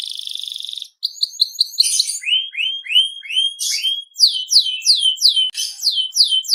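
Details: Singing canary opening with a rapid buzzing trill, then a series of clear downslurred whistles repeated about three per second, shifting pitch between phrases.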